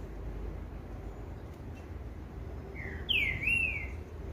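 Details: On 15 July, a green-winged saltator gives a brief, loud whistled phrase that dips and rises, after about three seconds of quiet with a low background rumble.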